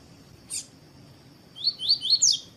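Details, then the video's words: A single click, then a coleiro sings its tui-tui phrase to encourage other birds to sing: five rapid rising whistled notes, ending higher and buzzier, with a steady high-pitched hum throughout. "ESQUENTAR COLEIRO TUI TUI PERFEITO CANTO DE COLEIRO TUÍ-TUÍ E PAPA CAPIM PARA ESQUENTAR PAPACAPIM"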